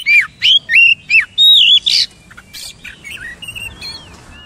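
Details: Oriental magpie-robin giving loud, distinct whistled notes, some swooping down, others level, about every quarter second, then trailing into softer, higher twittering phrases.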